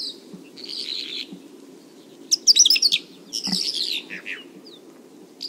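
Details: Song of a bimaculated lark recorded in Turkey: scratchy, buzzy phrases break into a dense burst of rapid twittering chirps, then more jangling notes over low background hum.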